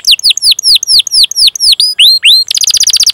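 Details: Canary song from a training recording for young or silent canaries: a series of clear downslurred whistles about five per second, two rising slurred notes, then a fast buzzy trill at the end.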